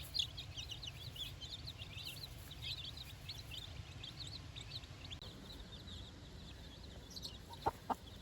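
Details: Four-day-old chicks out on fresh grass for the first time with their mother: a dense chorus of short, high chirps and peeps overlapping for about five seconds, then thinning out, over a steady low rumble, with two sharp knocks near the end.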